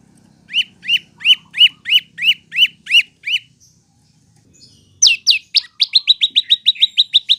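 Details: Prinia song used as a training recording for cage birds: a series of evenly spaced, rising chip notes about three per second, a pause, then a faster, sharper run of chirps.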